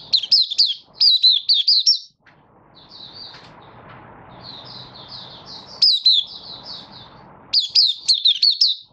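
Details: Oriental white-eye of the Malaysian Mata Puteh type, a hobby bird in minor moult opening its song, 24 August 2023. Bursts of rapid high whistles that swoop downward, alternating with softer, quicker chattering notes in between.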